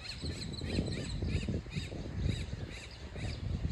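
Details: Baby American coots giving a steady run of short, sharp chevron-shaped peeps, about two each second, over a heavy low rumble of background noise.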